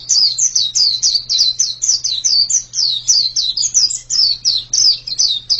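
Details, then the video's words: White-eye singing a long run of high, rapidly repeated descending whistled notes, each slurred downward, delivered in quick bursts with brief gaps; a steady low electrical hum runs beneath. "Ini pasti pleci yang sangat super itu kicaunya"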